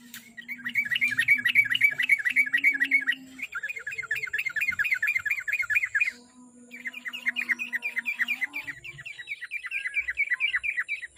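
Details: Yellow-vented bulbul (trucuk) lure song, played so a kept bird sings diligently every day: fast series of chirpy notes near one pitch, several runs of rapid repeated phrases with short breaks, a steady low hum beneath.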